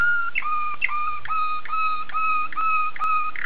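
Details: Waterslager canary of Belgium repeating short, flat whistled notes roughly every half second, each opened by a quick upward flick, steady and evenly paced.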